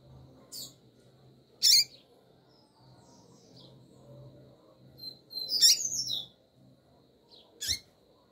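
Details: Double-collared seedeater female, calling to arouse the male, gives several sharp high chips with a short twittering burst in the middle, over a faint low steady hum.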